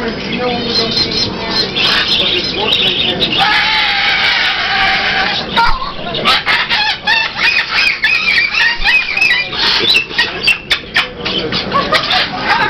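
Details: A Moluccan cockatoo at a flea-market bird booth, described as really wound up, lets out loud, harsh, raspy screams for the first few seconds, then short squawks while a person talks to it.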